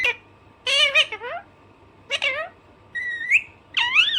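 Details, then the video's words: Pet Alexandrine parakeet, called naughty, with loud harsh calls, a flat whistle rising at the end, and a wavering two-toned cry, over a low indoor hum. "Alexanderine naughty parrot/parrot natural sound"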